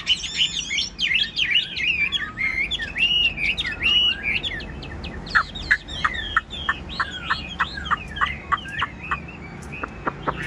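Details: Chinese hwamei, a yellow-billed caged bird about 85 to 90 percent tame, sings in rainy weather with wet plumage: looping whistles then a rapid train of sharp descending notes.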